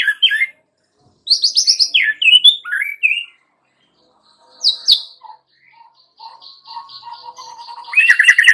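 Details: Song of a young wild-caught White-rumped shama, used as a lure to set other birds singing: rapid slurred high phrases, a pause, a ringing downslurred note, soft low whistles, then a loud rolling burst.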